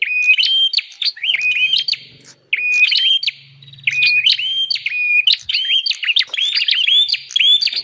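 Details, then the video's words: Prinia lure call, bar-winged prinia: rapid rising and flat whistled chirps with sharp clicks, a brief silence near the middle, then denser repeated phrases; faint low hum in the background. "Suara pikat burung prenjak paling ampuh"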